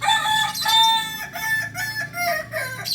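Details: Kukuak Balenggek rooster, a singing chicken native to Solok, West Sumatra, crowing a long harmonic call that breaks into a series of short stepped, rolling syllables, loud and close.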